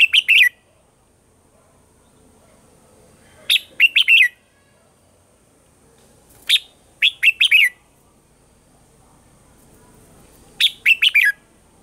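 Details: Morning song of a red-whiskered bulbul in the mature wild-bird voice style, recorded for voice-training caged birds: short bursts of three to five rapid ringing notes, spaced about three seconds apart, over near silence.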